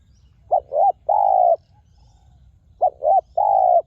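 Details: Spotted dove, a wild bird used for ground decoying and valued for its very resonant voice, repeating one phrase twice: a quick double note followed by a long, even, mellow coo, with a soft low hum beneath.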